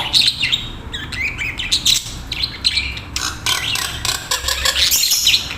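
Budgerigars chatter in a busy, continuous warble of rapid chirps, squeaks and scratchy notes.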